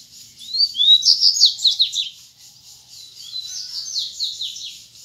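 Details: Wild Double-collared seedeater singing in the "grego" style while disputing song with rivals: a high, fast run of sharp rising and falling whistled notes, loudest in the first two seconds, then a softer continuing phrase.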